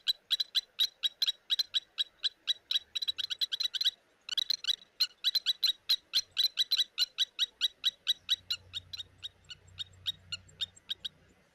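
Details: Blacksmith plovers at an African waterhole, 17 November 2024, giving alarm calls at a baboon troop that raids their nests: sharp, metallic anvil-like tinks, about four or five a second, with a faint low rumble near the end.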